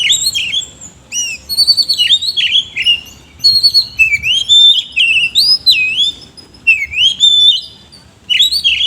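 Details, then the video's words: Loud, continuous ngobra song of an oriental magpie-robin with rough isian kasar fill-ins, a dense run of varied whistled slurs, upsweeps and sharp chips with only short gaps throughout. "BURUNG KACER GACOR NGOBRA ISIAN KASAR"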